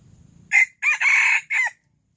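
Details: Early-morning crow of a Silkie rooster, loud and raspy, in four segments: a brief opening note, two joined drawn-out syllables, and a shorter falling end, with faint low rustling just before it.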